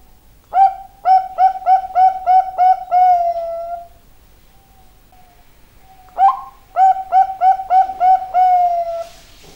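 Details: Zebra dove singing briskly: a run of about eight short, mellow cooing notes in quick succession, ending in a drawn-out coo, a pause, then the same rapid cooing phrase again.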